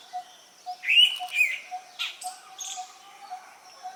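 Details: A female Indian pitta calls her partner, giving two bright whistled notes about half a second apart, then short harsher chirps, while a soft low tonk keeps repeating steadily in the background.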